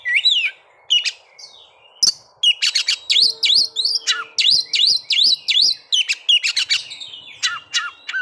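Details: White-rumped shama kept as a cage bird, singing to spur breeding condition and fighting spirit: a steady series of looping whistled notes repeated roughly twice a second, with sharp metallic chips and a faint background hum.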